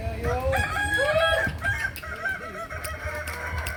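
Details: Kukuak Balenggek roosters at a May 2024 practice contest in Ampang Kualo, Kota Solok, giving rich rising-and-falling crows that overlap one another, with sharp clicks and crowd noise behind.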